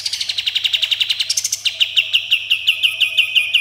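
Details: Sooty-headed bulbul singing a 'tembakan' shooting phrase with rough 'besetan': a fast, steady string of clipped, high chips that briefly rises, then continues as evenly spaced descending notes.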